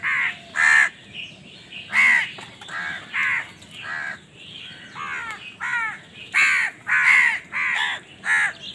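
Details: Crows squabbling for food give a long run of rough, nasal caws, about a dozen in under nine seconds, some overlapping, loud and irregular.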